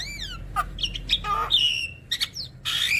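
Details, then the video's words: Javan myna song with many varied phrases, used to make other mynas sing: slurred whistles, clipped chirps, a falling whistle and a final harsh rasping note. "Semua Jenis Burung Jalak Akan Bunyi Kalau Dengar Ocehan Jalak Kebo Makun Banyak Isian Ini"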